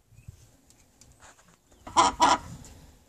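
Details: Chicken giving two loud, harsh, broadband squawks in quick succession about a quarter second apart, after a stretch of faint scattered clicks and low background rumble.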